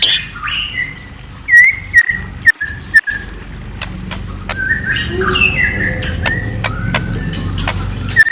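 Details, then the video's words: White-rumped shama (murai) at night giving short chirps near mid pitch, some sliding downward, in loose bursts with gaps, over a low steady background rumble and a few sharp clicks. "Murai Bird Serenade: A Night of Enchanting Chirps"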